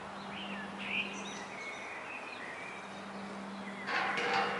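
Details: A Common starling singing on a roof gives a loose run of thin whistles, slurred notes and soft clicks over steady background hiss, ending in a burst of rough noise.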